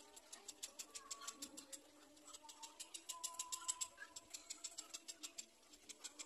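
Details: Little black cormorant chick feeding from its mother, tries to swallow the parent's head; rapid high clicking begging notes repeated about three times a second, with faint tonal calls underneath.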